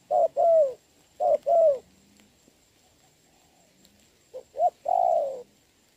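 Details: Decoy spotted dove cooing during rain, 26 November 2022: paired phrases of a brief note then a fuller, slightly falling coo, two sets early and another set near the end after a pause.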